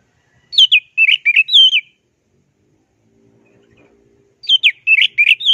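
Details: Orange-headed thrush, a champion singer of plong and teler style, on a tutoring recording: two fast bursts of rich, jumbled whistled phrases, each about a second and a half long, split by near silence.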